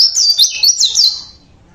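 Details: Oriental white-eye of local Javan stock, natural voice: a short, high, quick-changing string of sweet twittered notes that slides up and down, then fades away into quiet.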